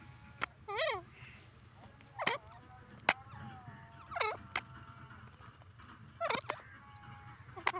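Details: A grey francolin (teetar) roams free in the open and calls with loud, short, bent notes that rise and fall. The notes come at uneven gaps of one to two seconds over a quiet, low rumble.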